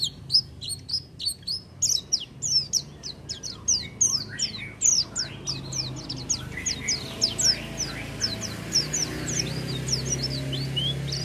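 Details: Oriental white-eye in full song without doping: a long, fast string of sharp high notes, each slurring downward, delivered in an excited chattering stream with faint background hum.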